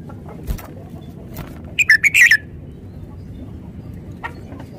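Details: Red-whiskered bulbul giving a fast cluster of five rich, slurred whistles in under a second, then a lone faint note later, with low background noise.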